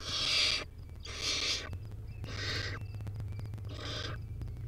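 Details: Barn owl owlet in a wild nest, feeding on a rodent: four raspy, hissing screech bursts roughly one per second, noisy and broadband, over a steady low background hum with faint clicks.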